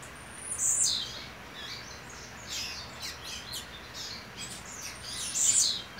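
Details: Caged male Double-collared Seedeater, mate nesting beside him, on the eve of a competition, sings high, rapid twittering phrases with two louder, sharper bursts near the start and end over faint background hiss.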